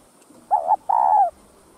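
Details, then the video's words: Spotted dove (cu gáy) calling to spur other doves on: one phrase of a brief quavering note and then a drawn-out, buzzy coo that slides gently downward, with near-silence around it. "CHIM CU GÁY Giọng Hấp Dẫn ĐỦ BÀI [GÁY GỌI,THÚC,GÙ ]Kích Bổi Nhanh Nổi"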